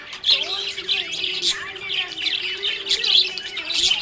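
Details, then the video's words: Cheerful budgie chatter: high twittering chirps and scratchy warbles tumble out almost without pause, with a low steady musical drone running through the background. "Happy budgie chirping sound"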